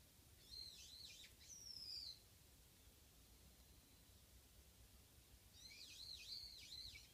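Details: Japanese white-eye, single visiting bird behind a house: a short run of high wavering twitters ending in a thin downslurred squeak, a pause of low hum, then another burst of high arched chirps.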